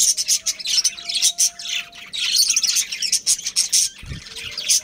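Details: A breeding pair of budgies within a captive colony, heard as rapid shrill chirps and scratchy warbles in short bursts, with a low thump near the end.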